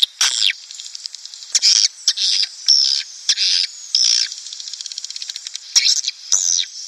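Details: Swiftlets give high, buzzy twittering chirps in quick bursts, with a run of rapid dry clicks partway through, a lure sound meant to draw breeding swiftlet colonies into a swiftlet house.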